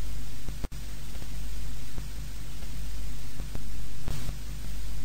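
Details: Loud continuous static hiss with a low hum, broken by brief dropouts and clicks, and no animal voice.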